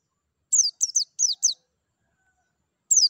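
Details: White-eye, used to get kept birds singing: a quick run of four to five high, falling chirps in one second, then a pause and one more chirp.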